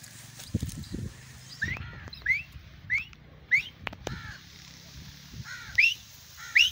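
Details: A grey francolin (Ortygornis pondicerianus), a trained fighting/calling teetar, gives loud, shrill rising whistles repeated about every half to one second, over a low rumble of background noise.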